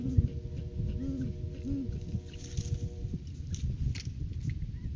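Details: Great horned owl pair at the nest tree in January courting season, eggs due in February, filmed on a live cam. Short, low, rounded hoots come in a quick run of three, then fade, with steady droning background noise and faint rustling.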